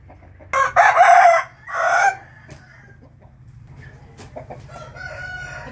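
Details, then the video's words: Rooster crowing in the morning, recorded 8 April 2021: one loud, harsh crow in two drawn-out bursts, a long first phrase and a shorter falling second, followed by quiet with faint distant clicks and a low hum. "nghe tiếng gà gáy buổi sáng ò ó o"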